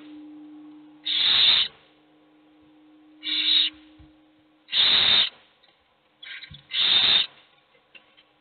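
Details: Begging owl chicks, hungry while only one eats: four or five harsh hissing screeches at irregular intervals, some clipped short, over a faint steady low hum.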